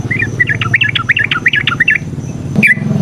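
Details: Straw-headed bulbul, a kept songbird, giving rapid chattering varied phrases of short notes near the middle of its range, with a steady low hum and brief louder notes at the end.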